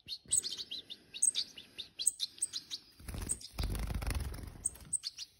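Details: Hand-reared European goldfinches give quick, high, tinkling chirps in bursts, with a stretch of low rumbling handling noise partway through.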